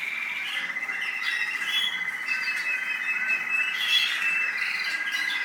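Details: American singer canary from the UAE delivering a sustained, even song: a held whistled tone beneath fast, repeated trill notes, with a brighter, louder phrase near the four-second mark.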